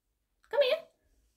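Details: A pet monk (Quaker) parakeet says a single short, speech-like phrase, apparently "come here", in a slightly harsh, nasal voice lasting under half a second, in a quiet room.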